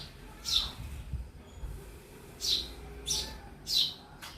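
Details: Sparrow in a house uttering brief, high chirps: one early, then a cluster of three near the end, over a soft low background rumble.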